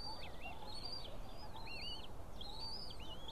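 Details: White-tailed eagle nest with three small chicks being fed fish by the female, 20 April 2016. High arched whistles are interspersed with wavy, lower rising-falling notes, several per second, over a steady soft hiss.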